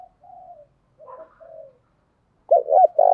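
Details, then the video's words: Spotted dove lure bird cooing to draw in wild doves: a few soft, low murmured coos, followed by a louder rolling, throaty coo phrase at the end. "Tiếng chim cu gáy thúc bảo đảm bổi nghe gáy liền, chim cu gáy mồi đảo bài liên tục"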